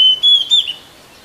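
A cuckoo gives three clear, high whistled notes in quick succession, each lasting about a fifth of a second. No other sounds are heard.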